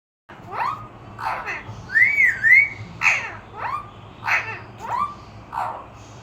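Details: Pet talking parrot repeating the words "Allah Ho Allah Ho", a series of sharp descending whistled syllables with a wavering whistled phrase in the middle, indoors in a small room.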